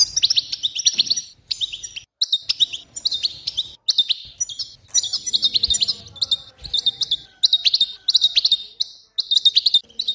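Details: European goldfinch female song, used to stimulate goldfinches: rapid liquid twittering phrases with high tinkling notes and nasal buzzes, delivered in bursts about one to two seconds long with short pauses.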